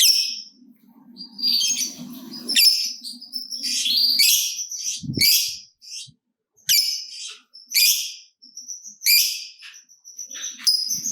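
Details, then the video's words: Lovebird gacor, kept to stimulate other lovebirds, uttering a jumble of high squeaky chirps and thin whistles in irregular bursts, with a low murmur early on and a brief thump. "Lovebird Gacor Ngekek Panjang !! Pancingan Top Lovebird Apapun Bikin Rajin Bunyi Ngekek Panjang"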